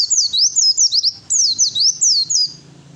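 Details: Oriental white-eye fighter song meant to provoke other birds into answering: rapid high sweeping whistled notes in two quick bursts of slurred downward-and-upward phrases, then a faint low hum.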